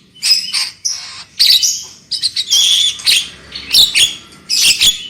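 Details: Black-winged myna singing, from a lure track intended to make birds sing loudly: dense, scratchy, squawking phrases with high whistled overtones, delivered in four or five loud bursts separated by brief gaps.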